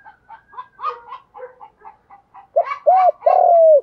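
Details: Spotted dove with 'giọng đồng' voice calling in the morning to lure other doves; a chattering jumble of higher chirps from other birds opens, then loud mellow arched coos with one long drawn note close.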